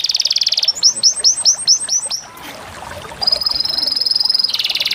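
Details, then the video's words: Small birds described as canaries chirping: a buzzy trill, a series of rising upslurred notes repeated about five times, a long steady high whistle, then another fast buzzing trill. "The natural beauty of the amazing chirping of small birds"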